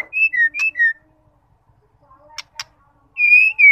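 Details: Female white-rumped shama calling to provoke male song: a quick run of clear whistled notes alternating high and lower, a pause with faint clicks, then a long steady whistle.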